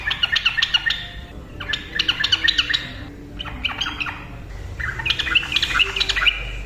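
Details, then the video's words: Yellow-vented bulbul in 'ropel' style, quick continuous song used to provoke silent birds: three short chattering bursts followed by a longer, richer bubbling phrase, over faint background hum. "TRUCUKAN GACOR NARUNG ROPEL cocok untuk pancingan burung TRUCUKAN DIAM"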